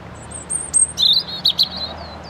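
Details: Robin song phrase from a European robin perched in branches: thin, very high drawn-out whistles, then a quick jumble of lower twittering notes with brief sharp accents, over faint background hum.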